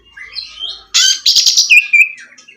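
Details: Oriental magpie-robin song, used to prompt a bird that has gone quiet. Soft rising whistles lead into a harsh, dense buzzy burst, then two bright whistled notes and trailing twitters.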